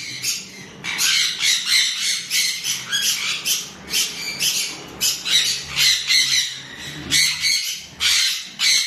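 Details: Chestnut-fronted macaws, one described as a severe macaw with its mate, give harsh, raspy squawks in a steady run, one or two a second, some overlapping as if from two birds.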